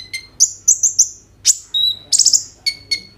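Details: Brief burst of kolibri ninja sunbird song recorded on an Oppo A37f to prompt others to sing: stacked chips, a four-note trilled run, a sharp downstroke, a level whistle, then another buzzy trill.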